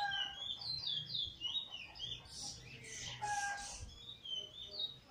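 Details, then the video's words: Just past molt, a Eurasian bullfinch sings weet teeture and flute roll phrases on 1 January 2022: rapid slurred whistles descending in steps, followed by a cluster of loud, rough high chirps and a steady whistled tone. "first black bird singing outta molt recently singing weet teeture/flute roll"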